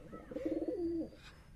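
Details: Pigeon that has just laid eggs gives a single coo: a rapid burst of throaty pulses sliding into a drawn-out, even, mellow tone lasting about a second.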